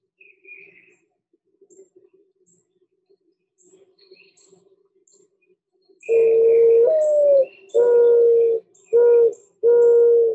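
Mourning Dove giving a soft, hollow, low coo: a longer rising first note, then three steady coos over about four seconds, after faint chirps and quiet voices.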